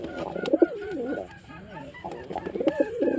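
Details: Male white pigeon cooing: low, wavering, throaty coos that rise and fall, in two bouts with a pause between, over faint background noise.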